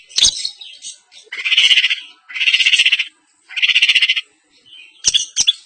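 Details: A long-tailed shrike sings in East Javanese contest style, with three buzzy, grating bursts each about a second long and separated by short pauses, framed by sharp clicks and squeaks.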